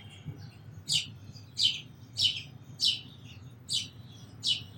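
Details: Sparrow giving six short, sharp, high-pitched chirps, each a quick downward-sliding note, spaced roughly every 0.7 seconds over a faint low background hum.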